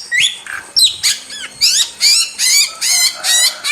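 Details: Wild starling singing hard, a tutor recording for caged birds: a rising whistle and squawk opening, then a steady series of buzzy, descending rasps repeated a little faster than once per second.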